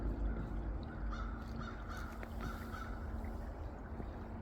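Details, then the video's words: Two crows give two or three short, hoarse caws through a steady low rumble of wind or distant traffic. "You can hear the 2 crows."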